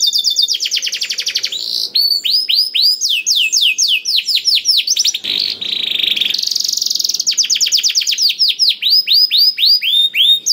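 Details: A lively canary, used to encourage hesitant canaries to sing, pours out rapid trills and rows of looping whistled notes, with a rough buzzy passage in the middle before the fast whistles return.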